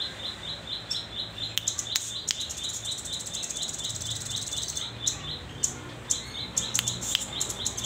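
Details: Young velvet-fronted nuthatch, hand-fed and just learning to perch and sing, giving a long, steady string of quick, high, piping notes, with scattered sharp clicks and background hiss.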